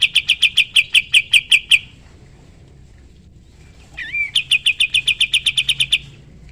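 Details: Sooty-headed bulbul song used as a training recording for other songbirds: two fast bursts of sharp, high, evenly repeated notes, roughly three per second, separated by a short pause and a brief rising slurred note.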